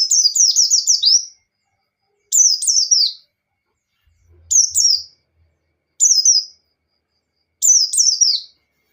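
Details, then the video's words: White-eye in 'ngalas' style, played as bait so other white-eyes sing and open their beaks: a long string of rapid, high, falling whistled notes, then four shorter descending bursts spaced about one and a half seconds apart; brief faint low thump midway. "Suara Burung Pleci Gacor | Pleci Ngalas Standar Memancing Lawan"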